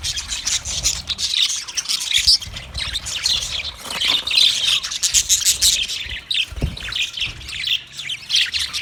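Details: Flock chatter of budgies on 9 March 2024: a steady stream of bright, rapid chirps and raspy warbling notes, many birds calling at once with barely any pause, plus a faint rubbing noise.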